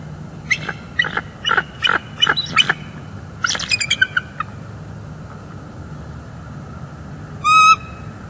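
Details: Bald eagle pair at a nest in northeast Florida on a December 2021 morning, calling during a mating break while incubating; bursts of quick, high, squeaky chirping notes in two rapid series, then one lone shrill note after a pause.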